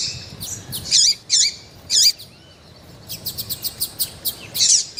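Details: Lively female Double-collared seedeater calling to stimulate a male: three loud, twisting high notes, then a quick series of short chips and a final bright peep.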